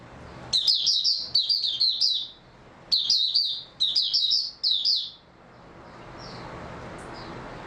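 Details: Oriental white-eye singing, 3 March 2022: two runs of bright, rapid, high warbled phrases in the first five seconds, then near quiet with only a few faint distant chirps.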